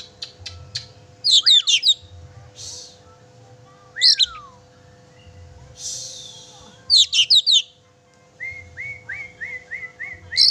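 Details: Oriental magpie-robin song for provoking a pet bird into singing: clusters of high twisting notes and downslurred whistles, with breathy hisses between phrases and a closing series of short rising whistles.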